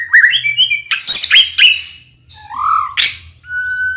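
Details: A White-rumped shama is provoked so that its agitation comes out. It gives loud whistled phrases mixed with harsh rasping notes, a slow rising fluty whistle, and a long thin held tone at the end.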